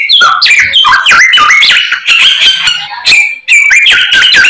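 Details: Energetic singing from a white-rumped shama loaded with imitated phrases: clear fluting whistles that drop and rise, interspersed with hard ticking notes, in quick bursts separated by two short breaks.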